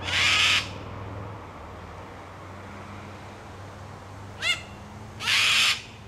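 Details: A cockatoo perched in a tree protests at someone nearby with a harsh, grating screech, a brief higher squawk after a pause, then a second harsh screech near the end; a faint low hum continues throughout.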